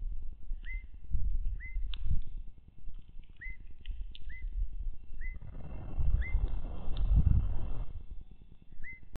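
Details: Evening grosbeaks (Coccothraustes vespertinus), newly arrived visitors at a feeder in Wisconsin, nearly May: short, clear, slurred whistled calls about once a second, with a few higher chirps and steady low wind rumble underneath.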